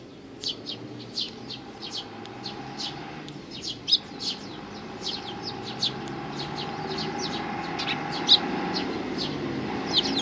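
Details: Several sparrows come to be fed along a Tenmangu shrine approach, 29 May 2020: a steady stream of bright overlapping chirps, some louder and closer, over a low hum.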